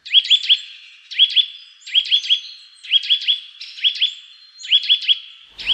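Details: Eurasian nuthatch, a species most active and loudest in early spring (February–March), giving its loud, striking call: ringing whistled notes in quick bursts of three or four, about every second, each rising sharply.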